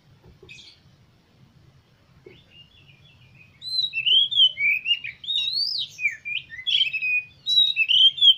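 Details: Magpie-robin song used to stimulate caged magpie-robins to sing. A few faint notes at first, then a loud, lively run of swooping whistles, twisted trills and sharp chips lasting about five seconds.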